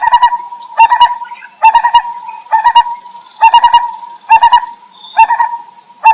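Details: Wild lineated barbet, native to the Terai, mother feeding chicks. Seven short bursts of three to four deep, rapid hoots, spaced under a second apart, over a persistent high whine and faint chirps.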